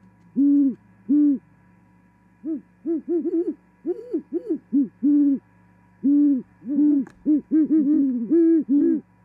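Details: Great horned owls singing and mating at a Charlo, Montana osprey nest in mid-January 2021 after the female arrives. Spaced deep hoots alternate with bursts of quick overlapping hooting from two birds at different pitches, steady hum behind.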